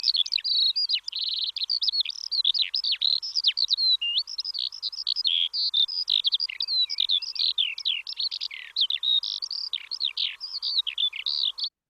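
Skylark singing a continuous, fast stream of high trills, chirrups and slurred whistles that pours on without pause, with a faint hum underneath.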